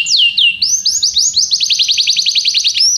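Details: High, bright canary song: a few downward-swept whistles give way to a fast, even trill of repeated rising notes, with a faint low rumble beneath.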